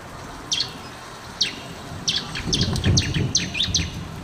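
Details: Bar-winged prinia song for training other birds to sing: isolated high, thin chips at first, then quickening into a faster run of sharp chirps, with a low rumble behind.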